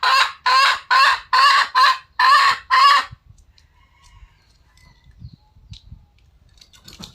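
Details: Red junglefowl calling in a loud run of seven harsh, buzzy bursts spaced about half a second apart, ending after three seconds; low, faint rustling fills the quiet afterward.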